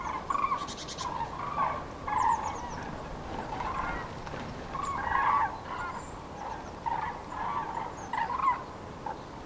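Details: A migrating Common crane flock recorded in Nouvelle-Aquitaine, central France, on 8 February 2017 in spring passage; loud rolling trumpet calls overlap continuously, swelling in waves about every two to three seconds.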